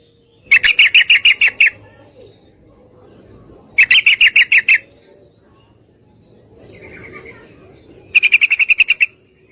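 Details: Three bursts of fast, even chattering from a female yellow-vented bulbul calling a male to mate, each of roughly eight to ten notes, spaced about three seconds apart. A soft, higher chirp falls in one gap.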